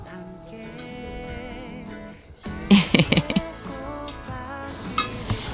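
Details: Music with singing and plucked strings plays, with some speech and no animal sounds.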